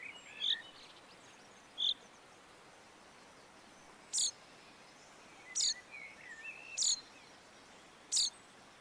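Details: Common chaffinch in the Montes de León, Spain, March 2022, giving loud, clipped call notes roughly every one to two seconds, with faint chirps of other birds in the background.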